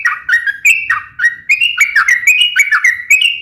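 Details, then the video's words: Sooty-headed bulbul singing in full voice, a training and lure recording: rapid whistled phrases that flick upward then slide down, about three notes a second, clean and loud. "suara trucukan gacor"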